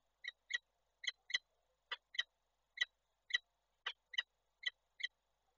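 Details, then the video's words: At a Koszalin nest in Poland, 28 January 2024, a female peregrine falcon calls as the male visits. Grating notes mostly come in close doublets, roughly two pairs per second, with silence between. "Nila z wizytą samca woła"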